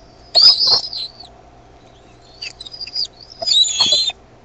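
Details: Bald eaglets in the nest grow noisier as the mother arrives with food; loud high squealing, slightly harsh calls in three bursts, the last long and wavering, separated by quieter thin whistles.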